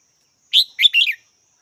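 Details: Red-whiskered bulbul sounding a lively three-part phrase of clear chirpy notes, rising and falling slightly, then silence; a faint continuous high hum underneath.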